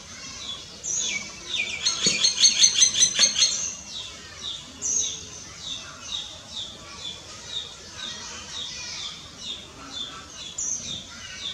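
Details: Common myna, or Indian myna, of the starling family, calling with a fast series of high squeaky chattering notes, including a loud rapid run of sharp clicking notes early on, then steadier repeated chirps.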